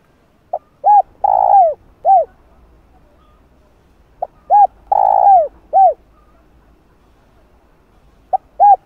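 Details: Lure cooing of a spotted dove meant to stir wild doves to call: two full phrases of a short note, a rounded coo, a long rough slurring coo and a falling coo, followed by the start of a third.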